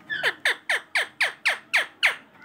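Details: Pet talking rose-ringed parakeet, being coaxed to say "mummy", gives eight harsh, down-slurred squawks in steady succession, about four each second, with nothing else heard.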